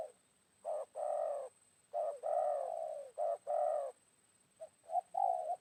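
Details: Spotted dove in the wild answering a decoy, recorded around midday after rain: a series of soft, hollow coos in paired bursts, some long and sliding slightly downward, ending with shorter, quicker notes.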